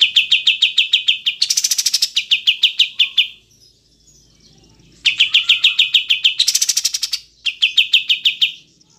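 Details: Kapas tembak, the Olive-winged bulbul, clearly recorded: two matching phrases of rapid, evenly spaced chattering notes, each broken by a harsh buzzy burst, separated by a short pause.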